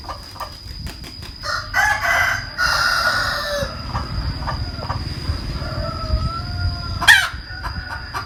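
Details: Hen cackling, with loud harsh drawn-out squawks in the middle and a sharp cry near the end, over a steady low rumble and a constant thin high whine.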